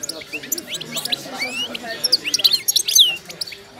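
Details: Moroccan wydani goldfinch, described as wild-caught, singing during its moult: a tumbling run of high chirps, slurred whistles and buzzy notes that grows louder and denser toward the end.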